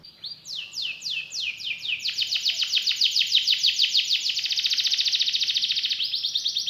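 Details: Kenari (canary) singing in gacor style, with special cengkok turns and rich isian fills: a few falling whistled sweeps, then a long, fast, even trill of buzzy notes repeated about four times a second, rising slightly in pitch.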